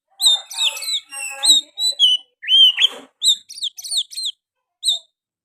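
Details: Oriental magpie-robin in full song mixed with sooty-headed bulbul phrases, giving rapid warbled whistles, a distinct lower swooping note midway, then crisp, high, repeated chips and whistles before the song trails off.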